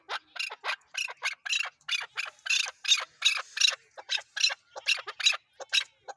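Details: Chukar partridge in Pakistan: loud, steady chain of harsh chuk-chuk notes, nearly three per second, grating and evenly spaced.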